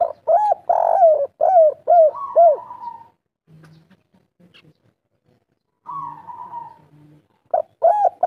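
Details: Local spotted dove of the three-note kuk 3 style cooing: a quick run of bouncing low coos, a drawn-out falling purr, a quiet gap with soft low murmurs, then another purr and fresh coos.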